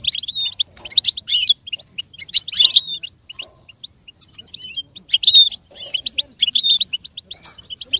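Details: Singing goldfinch for imitation training: chains of quick high chirps alternate with tangled twittering phrases, separated by short pauses, in a clean, quiet setting.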